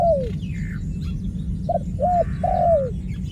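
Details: Dove giving a falling coo, then a phrase of a clipped note, an arched coo and a long coo that slides down at the end; thin twittering of small birds and steady low background noise.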